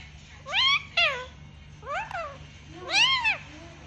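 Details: Talking parrot mimicking speech in three short harmonic, arched word-like phrases, the first doubled, separated by brief pauses against a faint constant background hum.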